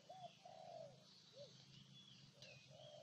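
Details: Spotted dove from Ninh Thuận, Vietnam, cooing faintly: a few low hollow notes, one longer and a short rounded one, partly buried in steady hiss and distant high chirps.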